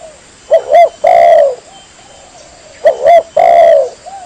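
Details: Spotted dove lure call: a loud, repeated cooing phrase of a short double coo followed by a longer drawn-out coo, given twice with pauses, clean and close with little background.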